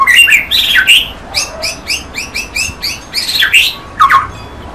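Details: White-rumped shama song, recorded clearly: quick varied phrases of bright whistles and sharp chirps, mostly high, delivered in short bursts about every half second with brief pauses, ending in a lower whistled note.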